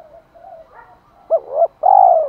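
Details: Spotted dove calling to prompt a male to coo: faint low murmurs, then two arched coo notes and a long loud coo that falls at the end.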